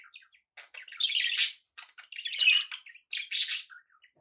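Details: Pet budgerigars chatter in loud buzzy bursts mixed with thin squeaks, three stronger phrases rising out of softer twittering.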